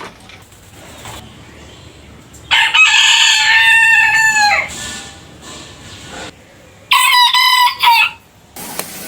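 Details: Roosters crowing in a collection of distinct crows: a long, loud crow held for about two seconds and tailing downward, then a shorter, clipped crow after a quiet pause.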